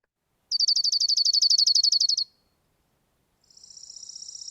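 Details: A Dark-eyed Junco's calm, non-agitated song: a smooth, high trill of about twenty rapid, even notes lasting under two seconds, then after a pause a fainter, buzzier trill.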